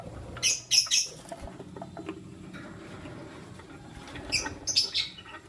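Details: Chirping lutino lovebirds, one male and two females, heard in the morning: a few piercing, high squeaky chirps in paired bursts at the start and again near the end, with a quiet stretch between.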